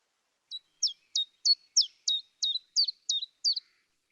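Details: Common Chiffchaff singing in a garden in early spring 2020, one of the first of the spring, with about ten sharp, high notes at roughly three per second in a steady repetitive chiff-chaff rhythm, with no other sounds.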